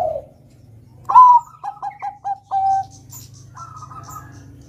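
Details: Singing Bangkok zebra dove, used to draw song from untrained young doves. A brief low coo is followed by a sharp rising note, four staccato coos and a drawn-out even tone, then a faint higher hum.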